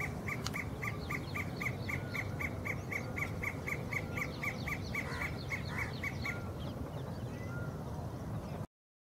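Sirkeer malkoha giving a fast run of sharp, clipped notes, about four a second for six seconds, over steady low rumbling noise and faint whistles from other birds.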